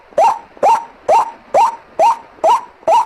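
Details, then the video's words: Lure call of a White-breasted waterhen, seven croaking notes that each rise then flatten, delivered in a regular, insistent rhythm of about two per second. "Suara Pikatan ruak ruak"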